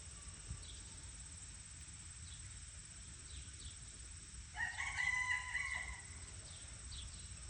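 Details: A free-range peafowl gives one loud, nasal, wailing call lasting about a second and a half, with faint small-bird chirps and a steady low rumble throughout.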